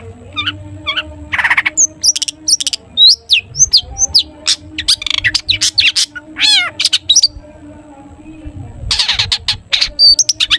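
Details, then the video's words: Long-tailed shrike delivering a varied full song, toet toet style, meant to prompt other shrikes to sing; mixed whistles, buzzy rattles and quick chattering phrases, a brief pause midway, steady low hum behind. "cendet gacor TOET TOET buat pancingan cendet agar bunyi"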